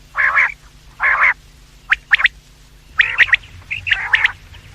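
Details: Quails calling morning and evening, in a recording used to lure them: two grating, buzzy bursts, then paired sharp notes and further rough rasping calls.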